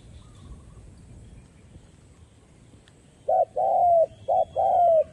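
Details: Spotted dove used as a decoy calling to lure wild doves for trapping. The clip opens with a quiet stretch, then two low cooing phrases, each a short clipped note followed by a longer, gently falling coo.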